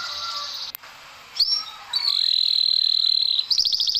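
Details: Canary isian for lazy-singing birds: faint high twittering at first, a sharp click, then a long steady whistled high tone held nearly two seconds, ending in a quick rattling trill.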